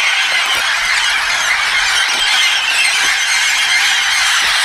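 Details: Red-tailed amazons (Amazona brasiliensis), a flock arriving at Rio Castro, Itanhaém, São Paulo, Brazil, in 2017: a steady, dense chorus of overlapping shrill screeches and squeals with no pause.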